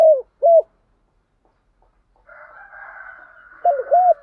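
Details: Spotted dove calling in the morning: two short low cooing notes, a pause, a faint hissing noise band, then two more dipping coos close together.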